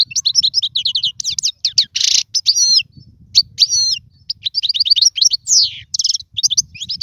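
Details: Song of the European goldfinch for teaching chicks: lively twittering phrases, bright trills and a harsh buzzy note, running almost without break over a faint low rumble.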